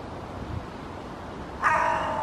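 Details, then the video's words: Hooded crow (Corvus corone cornix) perched in a birch in Helsinki, Finland, August 2022, giving a loud long-distance call toward its fledgling: steady background hiss, then one harsh, nasal caw near the end. "Hooded Crow calling with greater volume"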